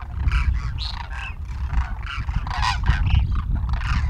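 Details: A flock of wintering demoiselle cranes feeding on the ground in a field at Khichan village, Rajasthan, India, gives harsh, croaking calls that overlap almost continuously, over a deep wind rumble.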